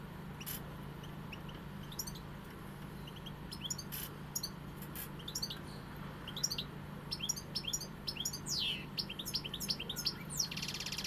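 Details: European goldfinch singing in the pegada style: scattered high twittering notes and short rising chirps, thickening toward the end into quick tinkling runs over a low steady hum.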